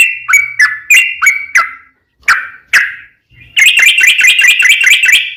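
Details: Sooty-headed bulbul song used as a lure to make other bulbuls sing: loud repeated notes dropping from high to low, with sharp broadband clicks at the start of each, then a fast, rattling run of rapid notes.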